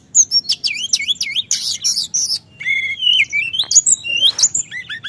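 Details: Continuous rolling song of a Sunda whistling thrush, played to provoke other birds: looping wavy whistles, a burst of rattling notes, then long gliding whistles and a short noisy rasp.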